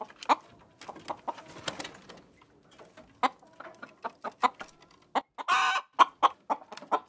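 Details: Chickens giving short, uneven clucks with softer overlapping calls from other birds. One longer, harsh squawk breaks in near the end before the clipped clucking resumes.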